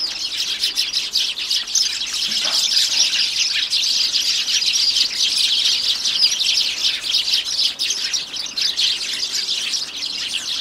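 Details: Lively winter chorus from sparrows at a home bird table, January 2: an unbroken wash of high chirps, roughly four calls per second, fairly irregular.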